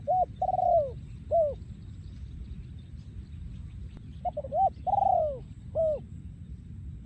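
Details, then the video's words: Spotted dove, breeding male, Thailand 2023, in yon khu ang song: two full phrases, each with clipped introductory coos, one extended downward-gliding coo and a curved closing note, about four seconds apart over faint low background noise. "พ่อพันธุ์ 2023 โยนคูอ่าง"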